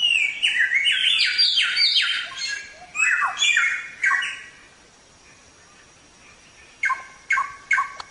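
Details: Samyong (Chinese Hwamei) in energetic gacor song for songbird training: dense run of loud, sharp downslurred whistles, a pause, then a few short emphatic notes.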